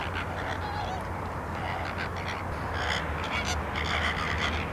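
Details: Flamingos at a salt lake in Larnaca, Cyprus, honking in a crowd; rough nasal calls repeated irregularly, denser toward the end, with low rumbling noise underneath.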